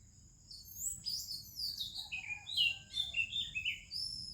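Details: Oriental magpie-robin singing in the morning in India among other birds: rich, melodious run of varied whistled and warbled phrases, rising and falling, over a steady high-pitched insect-like drone.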